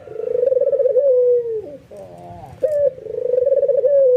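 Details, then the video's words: White albino ringneck dove in excited nodding display, prompting other doves to call along; a vibrating rolled coo falls away, soft notes follow, then a sharp note launches another throbbing coo. "SUARA BURUNG PUTER PUTIH ALBINO FULL NGANGGUK EMOSI BIKIN PUTER LAIN TERPANCING IKUTAN GACOR"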